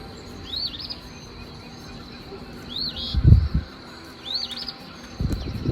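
Eastern Phoebe giving its raspy two-part "fee-bee" three times, each about two seconds apart, high-pitched and burry, with low thumps and background rumble.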